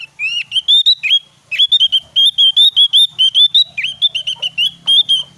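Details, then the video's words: Javan white-eye singing in a lively, energetic style, used as a training recording to prompt other white-eyes to sing: a fast, loud run of high, sweeping whistled notes, mostly rising, packed closely with barely a pause, over a faint low hum. "SUARA BURUNG OPIOR JAWA GACOR"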